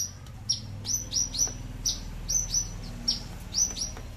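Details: Caged Horsfield's bushlark, aliena type from Papua, giving its very loud bass-free song likened to a Bali or Mataram leci: high thin downward-sliding notes in pairs and singles, spaced about half a second apart, with faint low hum.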